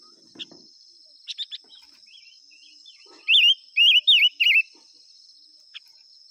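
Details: Five-coloured bird singing as a decoy to call wild birds: four loud, quavering, warbled phrases in quick succession, with scattered faint chips before and a steady high whine throughout.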